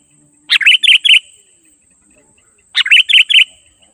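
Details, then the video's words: Sooty-headed bulbul singing in 'gacor' style as a lure for wild bulbuls: two identical phrases of four quick, liquid, slurred notes, the first note sharper, about two seconds apart. "Suara Burung Kutilang GACOR Asli 100% Ampuh Untuk Memanggil Burung Kutilang Liar Auto Mendekat Emosi"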